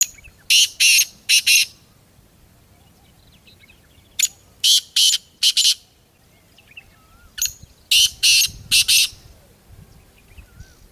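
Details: Black francolin calling in the open: three harsh, grating phrases of four rapid notes each, spaced about three and a half seconds apart, over a quiet low background.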